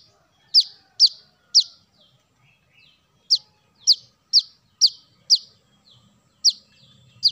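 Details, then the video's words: Brown-throated sunbird, used as bird-luring audio, gives sharp high falling chips in irregular bursts of three to five, separated by short silences, about ten notes altogether. "Kolibri kelapa | kolibri manggar | wiceh | suara pancingan burung korlap"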